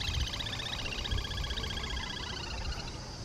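A grebe gives a fast, chattering run of high, nasal notes, about four per second, with a steady low rumble of wind underneath.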